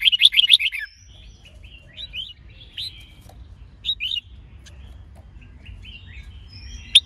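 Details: Red-whiskered bulbul singing during training, with a female to spur the male: a quick, throbbing run of notes opens the recording, followed by scattered short whistled phrases over a low background hum.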